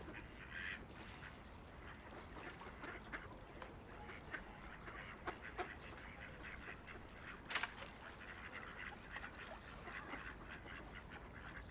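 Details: Ducks on a peaceful riverside, scattered soft quacks with one sharper splash-like burst midway, set against continuous gentle river flow.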